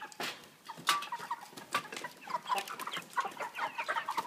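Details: A cage of 3 kg broiler birds fitted with a pan feeder and plastic floor, giving rapid, overlapping clucking notes that grow busier toward the end, mixed with loud clicks.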